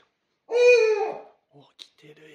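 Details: Pet owl indoors, calling toward a Rilakkuma plush toy: one loud, drawn-out, rasping call of just under a second, followed by faint soft noises.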